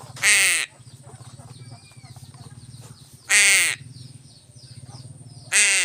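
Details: Fed fish, a crow repeats short, hoarse, nasal caws, three of them roughly every two and a half seconds, over a constant low droning hum.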